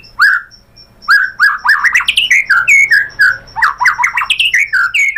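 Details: White-rumped shama song meant to prompt other shamas to sing: loud, rich whistled phrases with quick slurs and harsh-edged notes, delivered in an energetic, tumbling sequence after a brief quiet opening.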